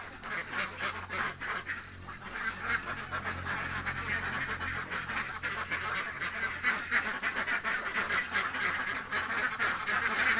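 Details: Very hungry ducks in a village give a thick, continuous wall of rasping quacks from many birds at once, with a faint high squeal near the start and end and a low hum beneath.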